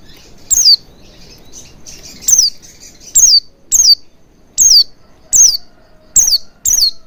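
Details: Oriental white-eye lure song, played to prompt birds to sing freely: eight thin, piercing notes that sweep downward, arriving in uneven bursts roughly every half second to second, with soft twittering between.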